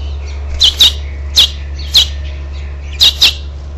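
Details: At a house finch nest on 12 June 2007, a parent flies in to goad the last fledgling out: loud, sharp high chirps, often doubled, six to seven in under four seconds, over a faint low hum.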